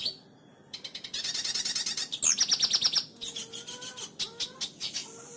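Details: A white-rumped shama sings a varied song: high buzzy chatter, a quick run of sharp ticking notes, then low clear whistles roughly every half second.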